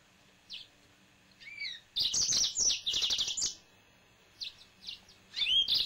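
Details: Male yellow-fronted canary, kept at home, starts with scattered single chirps, then a dense rush of high twittering and rolling trills, more separate notes, and an upslurred whistled phrase.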